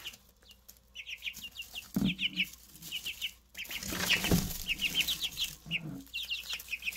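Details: Newly hatched Easter Egger chicks peep in quick high falling notes while loud rustling and scuffling swell through the middle of the recording.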